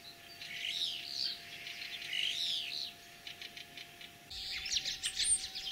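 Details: Common starling singing in spring in Kalyazin district, Tver region, Russia, 9 April 2023, imitating other birds; warbled slurred phrases and squeaky whistles, broken by short clicking bursts, then a louder jumble of high notes.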